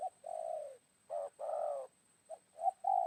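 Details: Wild spotted dove calling near a decoy bird during midday trapping after morning rain: low, mellow coos, a long phrase, then two more drawn-out coos and short clipped notes, separated by brief silences.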